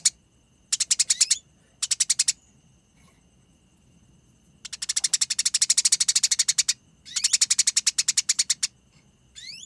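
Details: Tarung (fighting) chatter of a Eurasian tree sparrow, dense and rolling in konslet and nyerecet style: short harsh pulsed bursts, then a near-silent gap of about two seconds, followed by two long runs of rapid grating notes.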